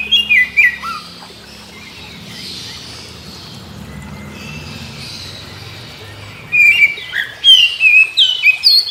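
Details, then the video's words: Morning song of an Oriental magpie-robin that joins in after hearing others: bright whistled notes open the recording, then a quieter stretch with soft background noise, then a lively run of rapid, varied whistles. "Kicau KACER Pagi Hari KACER Lain Denger Langsung Ikut GACOR Nyaut Koar Koar"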